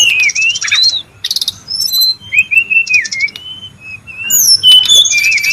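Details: Wild brown-chested jungle flycatcher, busy and noisy: high wavering whistles and short buzzy chirp bursts, broken by a brief quiet stretch. A long thin whistle trails off near the end.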